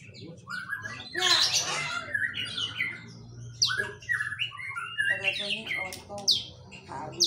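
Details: A white-rumped shama sings a mimicry-filled song, a rich, fast mix of harsh squawky notes, chattering bursts and bright rising whistles, with a low indoor hum underneath.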